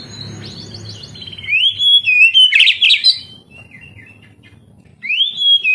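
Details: Oriental magpie-robin song used as therapy to prompt lazy young canaries to sing: clear whistled phrases, rising sweeps and a burst of rich warbled notes, with a faint low hum underneath.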